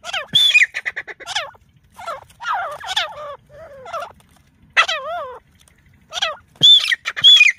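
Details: Teetar, a francolin, giving loud squawking calls in irregular bursts: wavering, down-and-up sweeping notes with rich harmonics, some high sharp whistled elements, and short pauses between groups.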